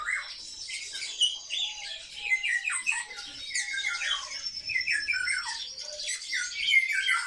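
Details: Several kept sparrows chatter together indoors, a continuous busy mix of sharp high chirps and harsh squawks, many notes falling in pitch, rapid and irregular.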